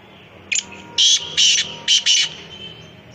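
A black francolin gives a harsh, grating phrase of five rasping notes, the last ones paired, delivered quickly over under two seconds against a quiet background.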